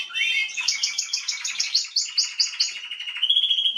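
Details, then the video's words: Song of a female Atlantic canary dated 21 January 2022: an upward slur, then a run of about ten evenly spaced bright high notes, followed by a lower rolling trill. "Kanarengirlitz Canary girl with a very beautiful voice"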